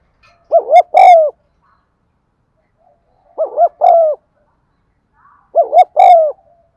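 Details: Spotted dove coo used to prompt caged birds into cooing: three phrases about every 2.5 seconds, each a quick two-part wavering note followed by a longer, slightly falling mellow coo.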